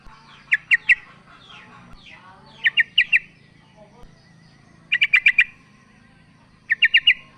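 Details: Female yellow-vented bulbul calling to the male: short runs of three to five bright, sharp chattering notes, with softer descending twitters and faint background voices between them.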